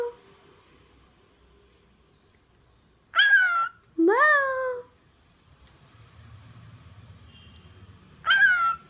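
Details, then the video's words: Pet cockatiel, a talking bird, voicing three loud, harmonic, wavering cries: a falling one near three seconds, a rising-then-falling one just after, and a third near eight seconds, over a quiet room. "Cute Asking HRU ☺️ Lovely Sounding Bird"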